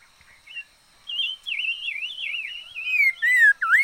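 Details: Red-faced liocichla decoy bird delivering a continuous run of wavering, warbled whistles that ends in a loud falling-then-rising swoop.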